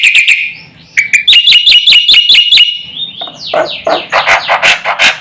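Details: Lively black-winged myna song meant to set other mynas calling: a few sharp notes, a steady string of bright clipped whistles, then a jumble of harsh, rough downward-sweeping notes.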